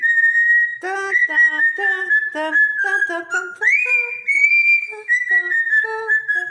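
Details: A parrot laughs. A level whistle is cut by a rapid string of choppy, harmonic-rich laughing notes, repeated several times a second. A rising whistled swoop follows, then more short chuckling pulses over the held tone.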